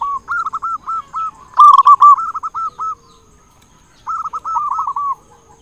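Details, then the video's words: Loud-voiced local zebra dove singing as a lure: a long chain of short hollow coos running into a louder rolling phrase, a pause, then another bubbling series of coo notes, with faint background hum. "Perkutut lokal gacor suara besar cocok untuk pancingan semua jenis burung perkutut"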